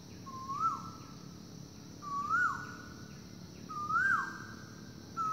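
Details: Asian koel in the forest at morning, calling loudly: three clear upslurred whistles about 1.7 seconds apart, each ending in a quick fall, with a faint continuous insect buzz in the background.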